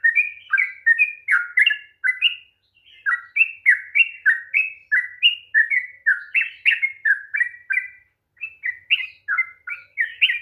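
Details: Long 'ropel' song of a sooty-headed bulbul, meant to excite a bird that will not sing: an extended series of quick, bubbly whistles with a short break near three seconds, then steady rolling notes to the end.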